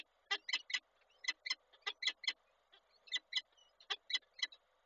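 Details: Peregrine falcons at a nest in Koszalin on 27 April 2022, the male bringing breakfast to the female: harsh, grating calls in short bursts of two to three notes, repeated several times with brief pauses, clear and close with no other sounds.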